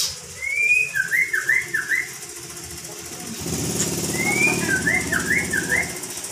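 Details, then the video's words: Magpie-robin said to be calling "Pak Jokowi", recorded unedited: a whistled, wavy phrase of a long note followed by three quick dipping notes, given twice about three seconds apart, over low rumbling traffic-like noise. "Murai Ngocehnya panggil Panggil "Pak Jokowi""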